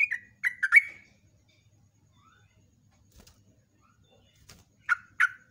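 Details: Brief bubbly whistled phrase from a yellow-vented bulbul singing as a morning lure, then quiet with faint clicks, and two final downslurred notes.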